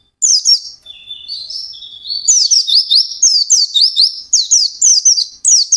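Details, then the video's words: White-eye in full ngalas-style song: an opening twitter drops into a lower drawn-out warble, then accelerates into rapid, bright, upslurred chirps in repeated bursts. "SUARA BURUNG PLECI GACOR NGALAS"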